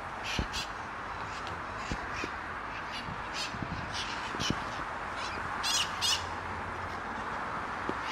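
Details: Mitred parakeets, a feral flock in the trees at Sunnyvale, recorded 11/04/2020: harsh, raspy screeches from several birds at once, overlapping in bursts, over a steady broad background hiss.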